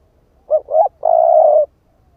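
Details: Spotted dove, a split-breasted lure bird cooing to draw in other doves: one phrase of two brief swelling hoots, the second rising at its end, then a sustained, faintly pulsing low coo lasting over half a second; no other sounds.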